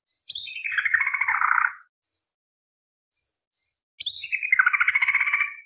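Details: Greater green leafbird in energetic full song, used as a lure to rile other birds; tembak beset long-roll style. Descending sweeps open into long, rapid, buzzy trills, broken by a pause with brief thin whistles.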